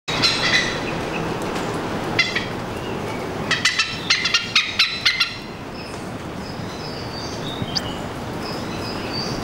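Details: Oriental pied hornbills, two birds perched on a TV aerial above a house in Singapore, calling individually and together: a burst of harsh, clipped cackling notes midway, with faint background birdsong and a steady urban hum.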